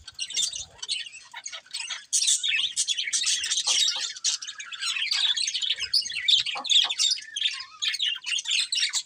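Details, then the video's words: Steady, rapid chattering from a breeding pair of colourful budgerigars: high, scratchy twitters and chirps flowing continuously, slightly quieter at the start, then a sustained busy warble. "Colourful Budgies Chirping Sounds"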